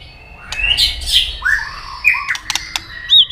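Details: White-rumped shama singing a fighting song to stir a rival: scattered whistled notes and down-slurred phrases at varied pitch, mixed with sharp clicking snaps.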